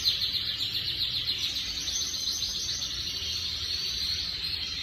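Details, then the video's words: Timbrado canary song as a fast continuous rolling trill, dense repeated notes at high pitch with little pause, over a low steady background hum. "Timbrado toàn sắc đẹp"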